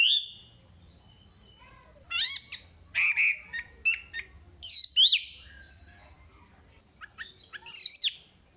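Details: Chinese hwamei song from a training recording for caged birds: a drawn-out whistle, then scattered short loud whistled and slurred phrases separated by brief silences.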